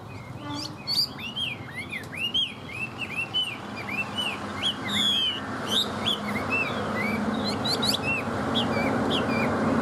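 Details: Tame Chinese hwamei from Vietnam singing well: many quick, curving whistled notes in close succession, fading as a steady background rumble grows louder toward the end.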